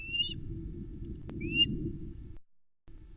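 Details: A female osprey at a nest in Arkaig Community Forest, 8 July 2020, screeches in two brief, high, piercing bursts at about 22:41 as darkness falls and the male brings a trout to the chicks; a low wind rumble and one sharp click are also heard.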